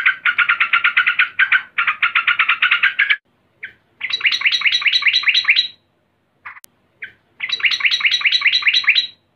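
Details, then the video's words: Excited female yellow-vented bulbul calling to a male: a low harsh chattering run, a silence, then higher, brighter rapid notes in two further bursts, with isolated single notes between them. "Trucukan BETINA NGAMUK GARUDA memanggil JANTAN"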